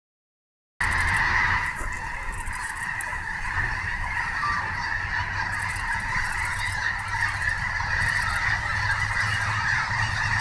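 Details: Snow geese at Snohomish: a large flock gives a dense, continuous chorus of high nasal honks and yelps that overlap without pause after a short silent start.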